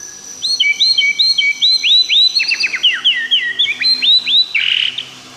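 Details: Loud, rich song of a white-rumped shama, Tangse strain, Aceh: rapid runs of bright rising and falling whistles, paired slurred notes and quick downward flicks packed closely together for several seconds.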